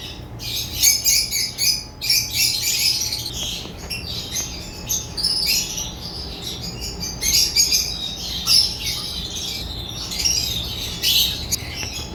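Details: African lovebirds chirping and twittering in irregular high-pitched bursts, shrill squeaky phrases with quieter gaps between, over a faint constant hum.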